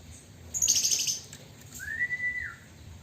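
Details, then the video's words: Caged Chinese hwamei (wambi), a bird becoming tame that often bathes in its cage morning and evening: a short harsh, high chattering burst, then after a pause one clear sustained whistle, rising slightly and holding steady before falling off. "Burung hwamei atau wambi sudah mulai jinak sering mandi keramba pagi dan sore"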